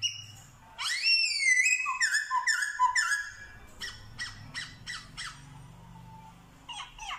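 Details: Black-throated laughingthrush in Vietnam imitating dogs, cats and chickens: a loud tumbling series of descending slurred whistles, followed by a steady run of sharp, short notes and faint low background hum.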